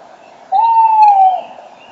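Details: Male tawny owl hooting almost into the microphone at 06:34 on 5 March 2013, in spring during the morning bird chorus: one long, steady, slightly falling hoot under faint songbird twitters.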